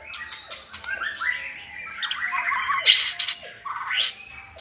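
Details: Captive white-rumped shama song played or sung to train another shama; clear high whistled slurs over rolling warbles, punctuated by sharp harsh bursts and dropping notes.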